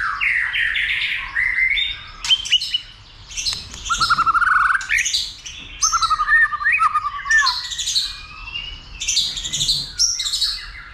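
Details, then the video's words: White-rumped shama stimulated to sing and fight: long varied song of whistles, trills and harsh buzzy bursts, pausing briefly between loud phrases. "Kích Chòe lửa Lên Lửa, hót nhiều,chòe lửa đánh đuôi kích đấu"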